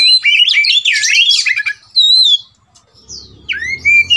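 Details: Agitated Oriental magpie-robin, roused to fight, pours out loud looping whistles and scratchy warbles for two seconds. After a short silence come clear downslurred whistles and a steady whistled note, with faint low rumbling underneath.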